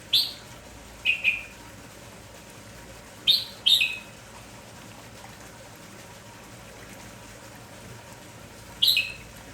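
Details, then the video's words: Lively red-whiskered bulbul calling in the morning, giving short sharp chirps that fall slightly in pitch. They come in pairs and singles spaced a few seconds apart against a constant low hiss. "MERBAH JAMBUL KAMPONG GALAK TAK HENTI BERBUNYI"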